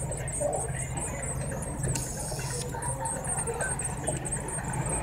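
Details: Nestling Eurasian blue tits aged seven to nine days call during feeding, giving faint, high, fizzy squeaks in quick succession. A low droning hum runs beneath, and a brief rustling burst comes at about two seconds.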